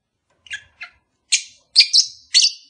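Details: Caged pet lovebirds, a pair that has not yet mated, calling: rapid harsh high chirps building into a quick burst of shrill squeaky notes.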